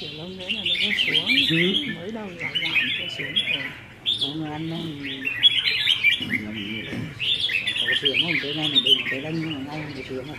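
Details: Practice singing contest among caged red-whiskered bulbuls, 15 May 2021. Bursts of lively, warbling chatter recur in three main bouts, and men's voices talk steadily underneath.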